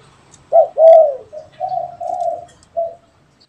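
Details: Spotted dove cooing in an exchange between a caged bird and a wild one: a sharp short note, a long mellow coo, then softer trailing coos fading out, with a faint low hum beneath.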